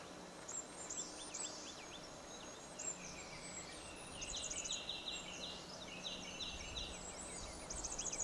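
Blackburnian warbler: very high, thin, sibilant notes near the top of hearing, among other birds' whistled and trilled phrases over a steady low rumble.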